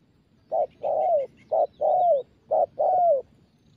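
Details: Spotted dove, a young bird in daily cooing training, repeats three pairs of coos, each a brief low note then a longer sliding, falling coo, about one pair per second.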